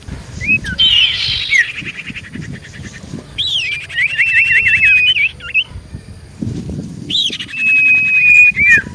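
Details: Common iora lure song to make birds answer at once: bursts of buzzy chatter alternate with trilled wavering whistles and a long level whistle, separated by short quiet gaps with low background rumble.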